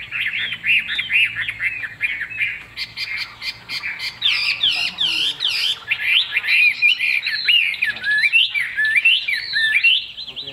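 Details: Kept Chinese hwamei for sale in Vietnam, fig-leaf tail, glossy plumage, pours out a long, continuous run of rich, varied whistles and rolling warbles, swooping up and down without pause.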